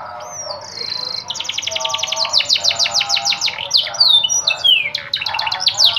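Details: Luxurious yellow canary singing: a long varied song of fast repeated trills, some held whistled notes and sweeping downward slurs, with rolling rapid rattles throughout.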